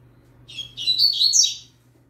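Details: Young yellow-bellied seedeater, kept with a green-winged saltator, gives a short burst of high, fast, twittering warbles that quicken into a dense buzzy jumble and then stop. A low steady hum sits underneath.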